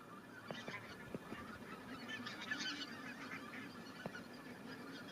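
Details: Greater white-fronted geese back in spring 2019 at Kalvi village, Virumaa, give a busy flock chorus of high, laughing yelps that swells around the middle, with several sharp clicks.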